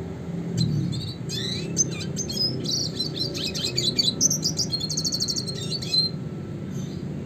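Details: Classic red siskin singing in a fast rolling, shooting style used as a master song for training songbirds. Dense high twittering with buzzy trills and quick rising slurs runs nearly without pause, with steady low background hum.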